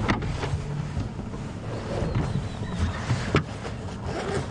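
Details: Rumbling vehicle engine and wind buffeting with scattered clicks and knocks during an early morning safari drive.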